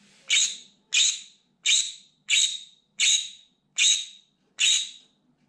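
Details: A pet green-cheeked conure screams loudly and desperately from a window, set off by sounds, movements or birds outside: seven harsh, raspy shrieks, each starting abruptly and tailing off, about one every 0.7 seconds over a faint low hum.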